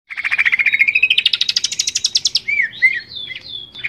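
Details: Greater green leafbird song from a varied collection for training captive leafbirds: a long rapid trill climbing steadily in pitch, followed by a few liquid slurred whistles over a faint low hum.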